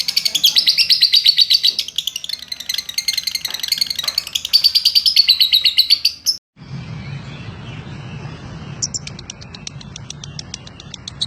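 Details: Rapid shrill ngekek chattering from a lovebird lasting about six seconds, then an abrupt cut to a noisier background with only faint scattered chirps.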